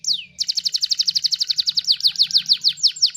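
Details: Canary master song for training songbirds: one long falling whistle, then a rapid rattling trill of high notes that gradually slows into separate downward sweeps, over a faint background hum.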